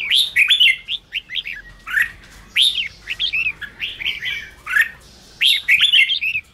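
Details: Red-whiskered bulbul song for stirring up wild-caught cage birds that are slow to sing: rapid strings of liquid, whistled notes and slurred chirps in phrases of about one second, separated by short pauses.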